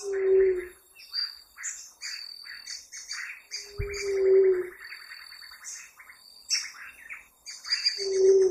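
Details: Ruddy quail-dove (pariri) singing: single deep, even-pitched moaning coos, each under a second, spaced roughly four seconds apart, three in all, with busy high chirps and twitters of other birds filling the gaps.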